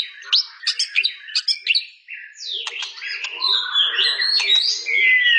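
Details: White-rumped shama singing: a rapid run of sharp high chirps and clicks, then a richer stretch of varied whistled phrases and warbles, slurring up and down, with a steady faint hum underneath.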